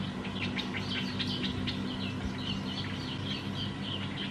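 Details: Black-headed bulbul recorded at Sa Phang, Khao Yoi, Phetchaburi, Thailand, in December 2020: a busy run of short, high chirping and warbled notes, several overlapping, over a steady low mechanical hum.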